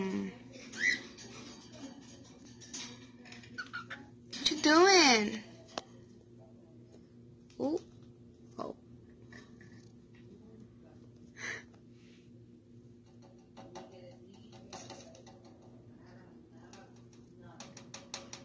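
A cockatiel gives scattered chirps and one loud warbling, wavering burst to get its mate's attention.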